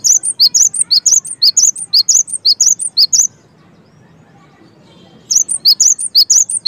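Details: High, ringing cinereous tit song, a rapid run of paired notes repeated steadily for about three seconds, then silence, then the phrase starts again.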